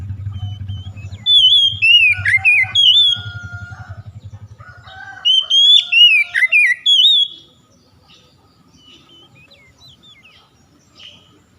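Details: Oriental magpie-robin stimulating song for reluctant young birds: two rich whistled phrases of rising, falling and swooping notes, with a low droning hum under the first five seconds and quiet chips afterward.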